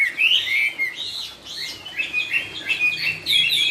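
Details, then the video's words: Chinese hwamei singing in the 'cao cầu' style: loud, rich whistled phrases with quick slurred up-and-down notes, about three per second, sweeping between mid and high pitch with short gaps. "Trong rừng có cây Thông mọc thẳng, con chim hót cũng thẳng " Họa mi cao cầu""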